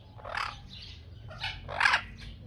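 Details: Chestnut-fronted macaw in Germany giving harsh, raspy squawks, three rough calls spaced about half a second to a second apart over low background hum.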